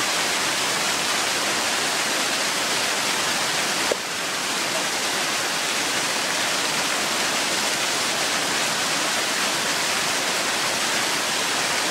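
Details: Steady roar of rushing water, like a waterfall or fast stream, fills the whole recording with no animal voice standing out.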